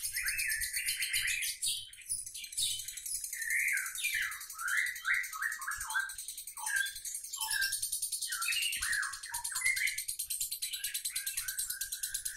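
A lovebird gives a long run of sharp, shrill chirps and squeaky notes, ending in a rapid buzzy rattling trill. No other sounds are clear.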